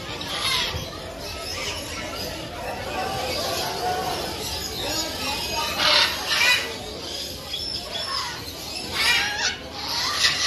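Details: In the world's largest parrot colony, a dense chorus of harsh, grating screeches from many burrowing parrots (Patagonian conures) at once, overlapping continuously with louder bursts every second or two.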